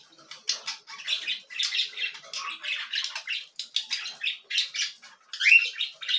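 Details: Raspy rhythmic begging from cockatiel chicks during feeding: short hoarse bursts repeated about twice a second, ending in a louder rising squeal.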